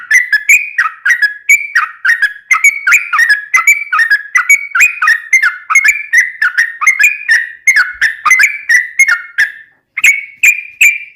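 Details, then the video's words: Yellow-vented bulbul pouring out a long 'ropel' song meant to set other bulbuls singing: dense, continuous chattering gurgles and slurred whistles for about ten seconds, a brief pause, then more bubbly phrases. "trucukan gacor ROPEL PANJANG buat pancingan trucukan agar bunyi"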